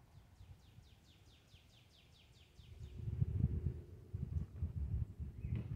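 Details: Cardinals chirping calmly: a fast run of about a dozen high, downward-slurred notes, roughly four per second, fills the first three seconds before fading into a low rumble of wind or background noise.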